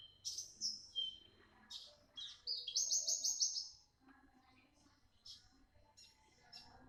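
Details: Young Javan bush lark of the parva type, described as singing actively with a sharp voice; high buzzy trills and chirps in quick bursts for about four seconds, then faint scattered notes and low background murmur.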